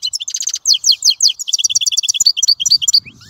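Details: Dense twittering goldfinch song, a rapid string of bright, bouncing chirps and ringing notes that trails off into soft background noise.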